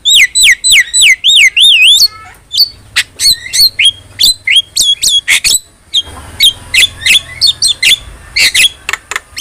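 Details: Energetic Javan myna song for tutoring: a rapid run of rolling, wavy whistles, then many quick squawks and clicks repeated about three times a second.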